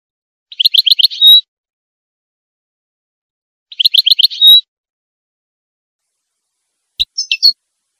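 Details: A female European goldfinch sings in the breeding season to prompt males to sing and mate: two fast buzzy trilled phrases about three seconds apart, each ending in a held whistled note, followed by a short scratchy twitter.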